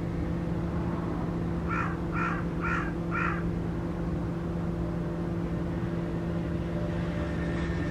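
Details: Escaped captive carrion crow near Guia, Cascais, Portugal, a broken cord on one leg and fearless of humans, uttering a quick run of four rasping caws against steady droning road noise.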